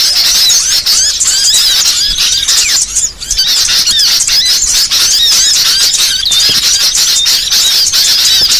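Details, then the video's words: Small songbirds in a varied training recording: continuous high squeaks and curling whistles in a thick chorus, dipping briefly near the middle before resuming. "MASTERAN BURCIL VARIASI"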